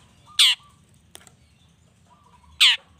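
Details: Long-tailed shrike lure to make other shrikes answer: two isolated, loud, grating squawks about two seconds apart, with a faint click between them and a thin steady tone in the background.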